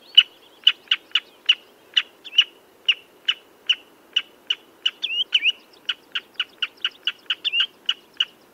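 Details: Common redshank piping notes, spaced unevenly and then quickening, with a couple of longer bending whistles in the middle of the series.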